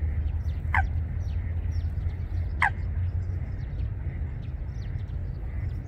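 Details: Nest-building Eurasian coot pair in water plants at Wangsong Lake; two loud, clipped calls falling in pitch, close to two seconds apart, while small birds chirp faintly and a low rumble runs underneath.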